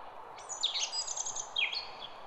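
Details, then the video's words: Songbird singing in a garden: a high, fast warbling phrase of tumbling chirps and twitters, a short pause, then a second descending twittery burst, over a soft steady background hiss. "GARDEN BIRD SONG"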